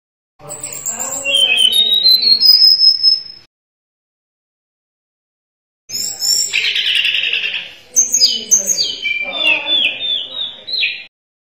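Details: Sunda robin in full, energetic song: a whistled phrase sliding upward and ending on a high sustained note, a pause of nearly three seconds, then a buzzy burst followed by stepped, bright whistled notes.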